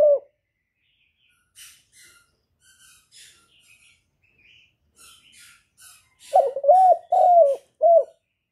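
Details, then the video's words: Spotted dove song played to stir decoy doves during trapping. Soft scattered twittering of small birds comes first, then a loud four-note phrase of deep, drawn-out coos ending with a brief note. "Cu đất giọng hạp Bổi, Cu Gáy gây ức chế, tiếng cu dùng mở khi đi bẩy, cu gáy giọng chuẩn, cu đất gáy"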